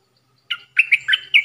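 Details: Stripe-throated bulbul song used as a trapping lure, 10 October 2021: a short run of four or five liquid, slurred chirps joined by a steady thin tone, all in under a second, with no other sounds.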